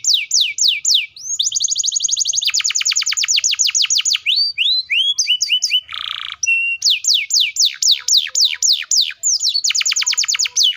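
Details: Long, fast canary roll used to trigger young and silent canaries to sing back, with descending sweeps giving way to an extended even trill, a rasping buzz, then more repeated falling whistles and another quick trill.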